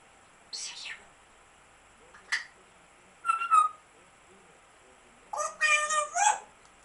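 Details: African grey parrot calling: a few separate bursts, including a short harsh note, a brief click, a rising whistled phrase, and a longer warbling whistle with several stacked tones near the end, with silence between.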